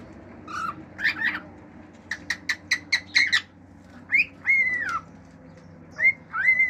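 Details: Male pet cockatiel singing natural songs, wolf whistles and clicking sounds: a few rising whistles, then a rapid series of about six sharp clicks, followed by slurred whistles rising and falling, over faint room hum.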